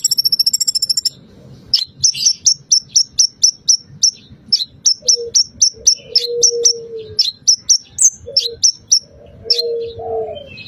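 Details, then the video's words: Bar-winged prinia song used to stimulate another bird to sing. The song carries phrases of cililin and pelatuk bawang. A brief high fast trill opens, followed by sharp high chips repeated about four per second, with faint low whistles behind. "Pancingan Konin agar langsung gacor"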